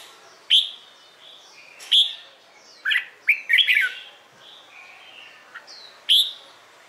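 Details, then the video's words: Red-whiskered bulbul morning song used for competition training; scattered sharp chirps and short whistled notes, some rising, with a brief burst of chattering notes near the middle and faint distant whistles between them. "LUYỆN CHÀO MÀO HÓT ĐẤU/ HƠN 12 P CHÀO MÀO HÓT BUỔI SÁNG"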